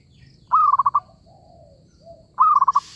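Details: Zebra dove heard while trapping, giving two pulsed coo phrases about two seconds apart, each a lifted note then a quick chain of round beaded notes, with soft lower murmurs between.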